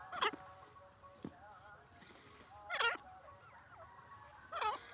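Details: Teetar, the grey francolin, repeating a shrill, wavering note with strong overtones about every two seconds, three calls in all, with faint whistled bird notes and a steady hum behind.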